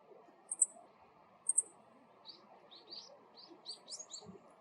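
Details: Male meadow bunting giving its everyday ground call: two high, sharp double chips, chi-chit, about a second apart, followed by a scatter of softer, lower chirps from other small birds over a steady low hum.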